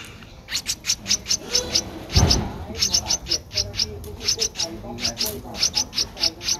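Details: A 12-day-old Streak-eared Bulbul nestling in Ubon Ratchathani, Thailand, 14 April 2023. It gives a long run of over twenty short, sharp, high-pitched peeps in quick, fairly steady succession, with a brief low thump midway and murmuring in the background.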